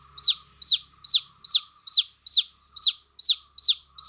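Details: Baby chicks chirping: a regular series of about ten piercing, high peeps, each sliding downward, spaced evenly around every 0.4 seconds.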